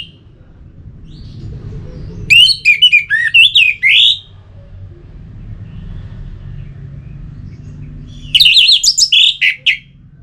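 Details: Two bursts of rapid, jumbled twittering from an Orange-headed thrush, played to rouse birds into song, about six seconds apart over quiet background hum.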